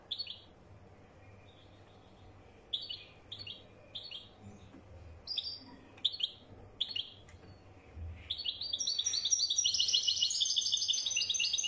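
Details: European goldfinch of the wedani type: spaced short high chirps every half second or so, then a sustained fast, jingling twittered song bursts out and continues to the end.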